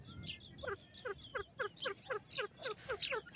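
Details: Grey francolin calling: a rapid run of short falling notes, roughly four per second, over steady background noise.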